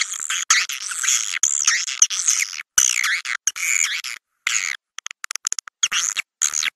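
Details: Swiftlet roost-luring sound for swiftlet houses: long, rasping, high twittering passages with swooping whistled notes. Quick, clipped chips fill the later part.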